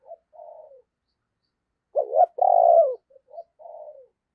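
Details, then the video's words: Spotted dove used as a decoy for wild doves: soft falling coos, a pause, then a loud double coo and a long pulsing note, followed by quieter trailing coos. "Tiếng Chim Cu Mồi Gáy Hay, Mở Lên Kích Bổi Cực Nhạy"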